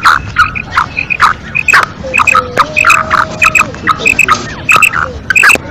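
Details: Female black francolin calling, with short harsh harmonic notes repeated in quick bursts about every half second over a steady low hum, plus a faint drawn-out whistle in the background.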